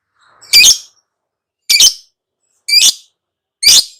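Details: Lovebird giving four separate shrill, harsh squawking calls, each brief and sharp, spaced about a second apart with silence between.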